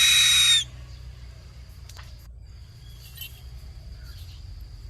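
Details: A Harris's Hawk gives a single harsh, grating, unmelodious rasp lasting about half a second, a call it makes both in flight and when perched, followed by near silence with faint background hiss.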